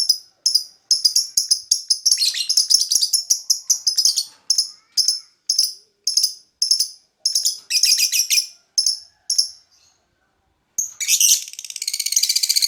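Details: Lovebird bait song: bursts of rapid high chips and chattering phrases with short gaps, a brief silence, then a fast buzzy rattle building at the end.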